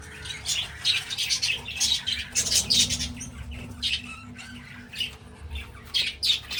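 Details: Breeding budgies give repeated short, harsh squawks and high chirps in regular bursts about every half second to second, with a low hum underneath.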